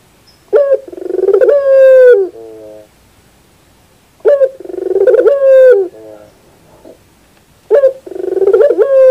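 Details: Puter dove, or Barbary dove, coos three times: a sharp note, a burst of quick pulses, then a long humming tone. A softer, lower wavering coo ends each phrase, and short silences separate them.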